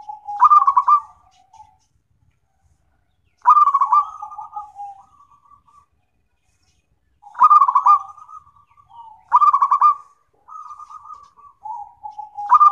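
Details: Zebra dove (perkutut), local type, recorded for therapy and song-tutoring: soft, rolling cooing phrases, a stuttering burst followed by trailing coos, repeated about every three to four seconds.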